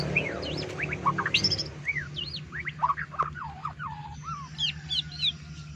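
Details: A captive Yellow-vented Bulbul, one of a pair kept as a song tutor for magpie robins, gives bright, bubbly whistled notes rising and falling in quick chattering phrases over a low steady hum.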